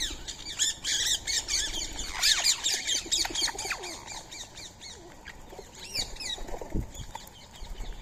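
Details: Free-living Indian ringneck parakeets feeding on soaked rice and corn at 6:30 on a March morning. Dense, overlapping harsh squawks from several birds, rapid and irregular, with scattered sharp chirps throughout.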